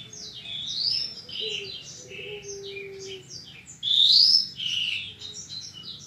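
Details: Horsfield's bushlark training song from a 2022 compilation for caged birds: continuous high chattering chirps, a loud rising whistled phrase near the end, and a low steady hum-like tone underneath for a few seconds.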